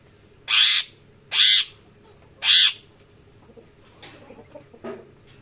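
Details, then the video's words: Harsh, buzzy parrot squawks, three in a row about every second, followed by softer scattered chatter and faint lower notes. "Parrots Chirping Sounds | Parrots Calling Sounds"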